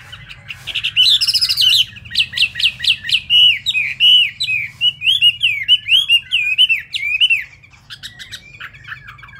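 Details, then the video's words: A Chinese hwamei, its feathers still not dry, sings a fast, rich run of loud whistled and slurred notes, phrases tumbling one after another with rapid beak speed, over a low hum. "Họa Mi tuyệt vời với tốc độ mỏ"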